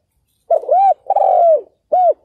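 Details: Spotted dove used as a decoy to draw in wild males, giving a close, loud three-part coo: a rising-falling note, a long slurred coo, then a short final hoot.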